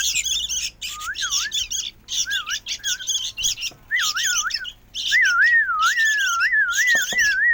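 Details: Sooty-headed bulbul chick producing rough, buzzy squawks in clusters, separated by short pauses. A wavy whistle joins in and becomes continuous during the last few seconds.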